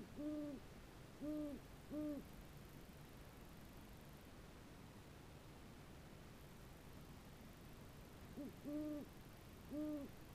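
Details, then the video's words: A pair of great horned owls hooting to renew their pair bond at 11 PM on October 22, 2015: deep, soft hoots, three about a second apart, then a six-second pause; male lower-pitched, female higher. "Great Horned Owls Hooting"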